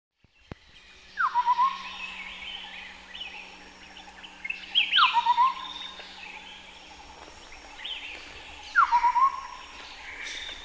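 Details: Chestnut-headed partridge at Bokor National Park, Cambodia: three phrases, each a clear whistle sliding down into a quick run of four or five short even notes, about every four seconds, with other birds chirping higher behind.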